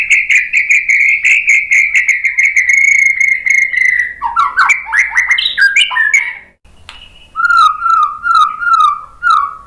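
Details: Lure song of a white-rumped shama, meant to prompt other birds to answer: a long, rapidly pulsing trill, a tumbling burst of varied whistled notes, a short pause, then clear slurred whistles repeated about once a second.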